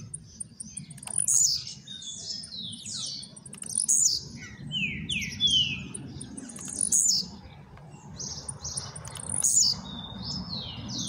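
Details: A new blue-black grassquit coming out of moult gives a high, buzzy, snapping burst about every three seconds, with thin twittering notes between bursts over a low background rumble.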